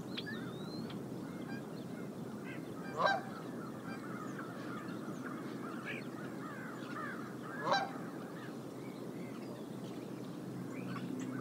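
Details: Wild bald eagle at a nest in Decorah, seen on a live nest cam on January 30, 2022, perched on the nest: two sharp, chattering calls about five seconds apart over steady wind-like noise, with faint other bird calls.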